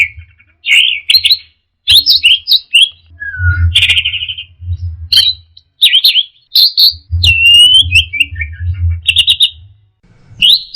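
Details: Teler-style song of an orange-headed thrush: a rapid run of sharp, high whistled notes and trills that changes pitch often, with brief gaps between phrases and a constant low droning hum underneath.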